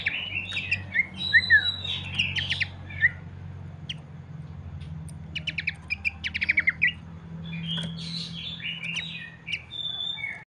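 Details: Abbott's babbler song meant to stimulate other birds to sing: varied slurred whistles and chattering notes, a mid-clip run of rapid buzzy stutters, then higher twittering phrases, with a low droning hum throughout.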